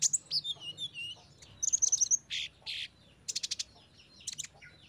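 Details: Sunbird song used as training material for caged birds: high, thin twittering notes, a quick run of sharp chips, then buzzy rasping bursts and a rapid stuttered series, with a faint low hum beneath.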